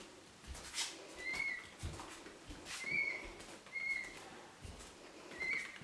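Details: A young peachick, hand-incubated and imprinted on its owner, chasing after the owner and giving thin, high, whistled peeps about every second and a half, over rustling and footstep-like thumps.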